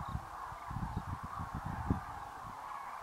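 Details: Huge winter flock of Common Cranes leaving feeding grounds of dried grasses at the Great Rann of Kutch for evening roost, January 2013; constant overlapping trumpeting mixed with strong low thuds and rumble.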